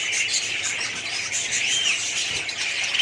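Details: Many budgerigars in a colony chattering together, a thick wash of high twittering and scratchy squeaks, with one clearer rising-then-falling whistled note near the middle.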